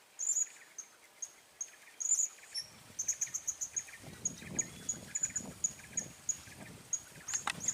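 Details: Blue-crowned hanging parrot with an unusual call, recorded while trapping the birds: sharp, very high, thin piercing notes repeated about every half second, sometimes in quick pairs or triplets, with rustling and soft knocks from about three seconds on.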